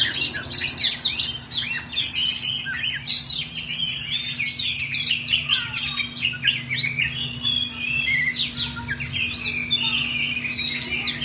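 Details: White-rumped shama in continuous rolling song, used as a tutor recording for training other songbirds. Dense varied whistles, rapid trills and sweeping notes pour out nonstop, with a steady low electrical hum behind.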